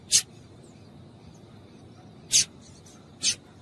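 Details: Double-collared seedeater female calling to make males sing: three short, harsh, high chip notes, the first alone, then two closer together near the end, over a low hum.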